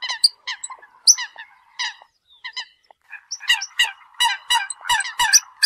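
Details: Eurasian coot calling to gather the flock: scattered harsh honks and a few high squeaky notes, sparse at first, then a quick burst of rapid calls toward the end.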